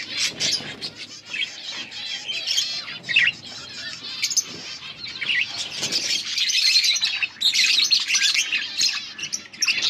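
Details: Breeding pair of budgerigars kept as pets, recorded in August 2024 during breeding: dense continuous warbling chatter of rapid scratchy chirps and squeaky notes, swelling louder in the second half with busy overlapping twitters.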